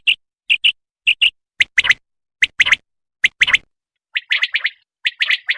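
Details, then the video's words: Quail (batair) voice: clipped high paired notes spaced evenly, giving way to sharper clicky clusters and then denser jumbled chips toward the end. "Batair ki awaz l Batair Spashall awaz l Batair single awaz l Batair sound"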